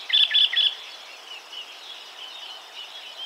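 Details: Great reed warbler, recorded at 52.057652, 20.195733, gives three loud, harsh, grating notes in quick succession, then fades into softer scratchy chatter over a faint background hiss.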